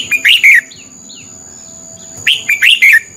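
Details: Lure red-whiskered bulbul in fighting song for training other birds: two phrases of rapid, bubbly whistled notes, each of about four syllables, separated by a pause with faint softer calls.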